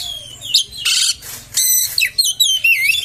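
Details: Oriental magpie-robin singing to provoke other magpie-robins: short clipped whistles broken by loud harsh scratchy bursts, ending in quick twisting whistled notes over a low steady hum.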